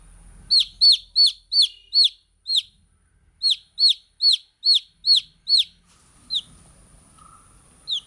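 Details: Baby chicks chirp in quick runs of high, falling peeps, pausing briefly between runs, then two isolated peeps near the end over a faint low rumble.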